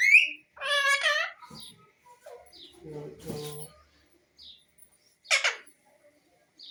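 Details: Pet parrot indoors producing a short whistle, then a rich, nasal, harmonic squawk, some low muttering sounds in the middle, and a sharp raspy screech near the end.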